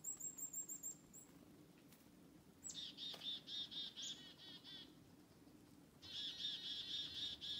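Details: Black-capped chickadee in forest, following people. Rapid very high chips open the sequence. After a pause come a long run of buzzy 'dee' notes, a short break, then another dense buzzy series.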